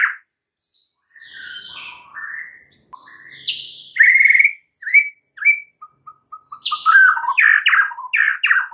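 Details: White-rumped shama singing in the morning with varied whistles, buzzy slurs and sweet upward notes, a string of quick soft pips, then a loud burst of rapid harsh descending notes.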